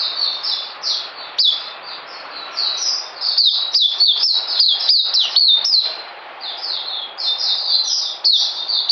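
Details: Oriental white-eye kept in a cage, delivering rapid high twittering song of sliding, falling notes strung together without pause, with constant low hiss behind.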